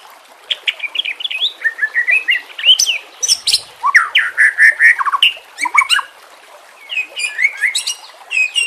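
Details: White-rumped shama (murai batu) song, played as a lure and for training silent birds: a rich, fast run of varied whistles, sweeps and sharp chirps, some notes sliding steeply up and down, in a quiet pause near the end.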